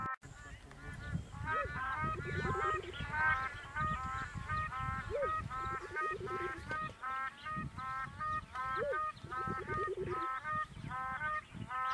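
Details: A flock of black crowned cranes at Rigueik, Zakouma National Park, Chad, gives overlapping nasal goose-like honks, several per second, over a steady low rumble amid other wildlife such as storks, egrets, geese, ibis and ducks.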